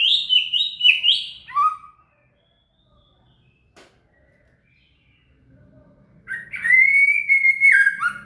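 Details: Shama (murai) song kept as training material for a cililin: rich warbled whistles stepping down, a quiet gap with one faint click, then a long sustained whistled phrase with a low rumble beneath.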